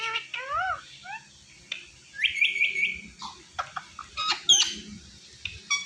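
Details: Indian ringneck parrot, known as mitthu, in a talking compilation: harmonic speech-like syllables, then a rapid run of high buzzy notes and sharp squawks, irregular bursts throughout.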